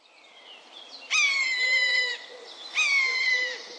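Two drawn-out, plaintive mewing calls from a common buzzard, each about a second long, starting high and sliding gently downward, with a fainter call before them.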